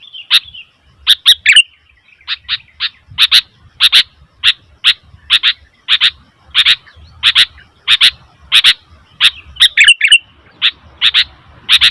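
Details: Sooty-headed bulbul making a noisy, steady series of harsh double chirps about every half second, with an occasional warbled flourish, over a soft low rumble of background noise.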